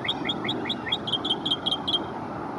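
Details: Northern mockingbird singing from a small cedar elm in a Houston, Texas park, just after chasing off about ten American crows, mimicking other birds: a fast series of short rising chirps, then paired clear whistled notes repeated about every quarter second.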